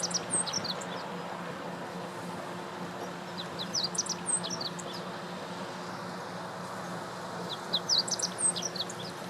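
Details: Meadow bunting singing at Lake Teganuma, Japan, in April 2017; short phrases of quick, high-pitched chirps repeat roughly every four seconds over steady low background noise.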